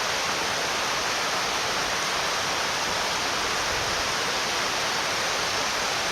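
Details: Loud, even rushing of stream or waterfall water fills the whole recording, with no animal voice heard.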